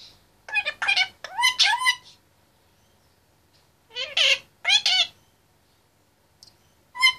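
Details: In his cage, a male Indian ringneck parakeet aged 25 months talks in bursts of fast, harsh, mimicked-word syllables, with a long pause before a second volley.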